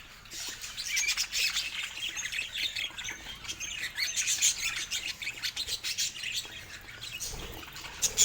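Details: Several happy pet budgies chattering together, a steady stream of bright chirps, trills and squeaks layered over one another, with loudness swelling and fading in short pulses and a few sharp clicks.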